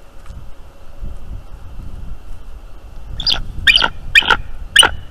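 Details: Male bald eagle on a late-night nest visit on 18 December at a northeast Florida nest, settling beside his mate. After a quiet start come four harsh, chattering bursts about half a second apart, over low rumble.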